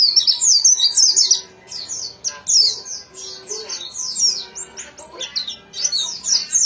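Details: Rapid, sweet twittering from a white-eye, thin high notes tumbling in irregular clusters separated by brief hushes, about three notes a second.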